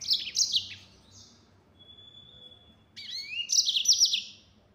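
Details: Chattering high-pitched bursts from a yellow-fronted canary in the 'nembak' full-speed style, with a long thin steady whistle in the gap, followed by another quick tumbling burst of sharp notes.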